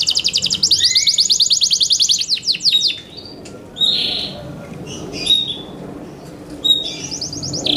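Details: Yorkshire canary in captivity giving a fast high trill that breaks into scattered sharp notes and brief buzzy bursts separated by pauses, with faint background hiss.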